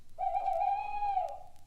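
An owl gives a single long, hollow whoo, held steady for about a second before sliding slightly down at the end; nothing else is heard.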